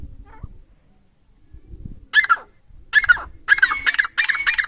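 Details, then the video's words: A francolin (teetar, partridge) gives loud, harsh, grating calls in four quick bursts over about two seconds, after a quiet start with faint low background rumble. "new teeter awaaz, new teetar sounds"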